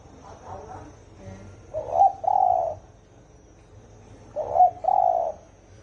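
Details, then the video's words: Spotted dove in the deep 'thổ ồm' cooing style used to rouse wild doves: soft murmuring notes, then two hollow two-part coos, a clipped note and a held low tone, about two and a half seconds apart. "Tiếng chim cu gáy thổ ồm kích thổ đồng siêu tốc lên cực nhanh"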